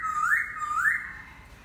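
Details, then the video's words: Laughingthrush singing two loud, clear whistled notes, each swooping upward, then a fading held tone. "Khướu hót"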